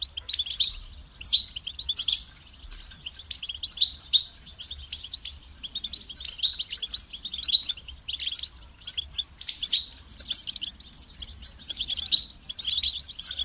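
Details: European goldfinch delivering a long, lively series of rapid twittering and trilled phrases, high and bright, in quick successive bursts that become denser toward the end; faint low hum beneath.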